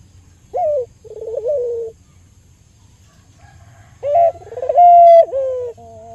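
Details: Albino local Barbary dove, kept caged as a lure to stimulate other doves, gives a short bright note and a wavering rolled coo, pauses for two seconds, then repeats with a long pure tone ending in a dip.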